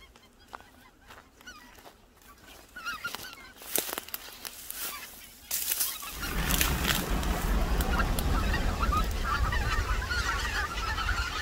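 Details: Greater white-fronted geese wintering on the Cheorwon plain in central Korea: a few scattered clicks and faint notes, then from the sixth second a dense, continuous flock chorus of overlapping honking calls over low rumble.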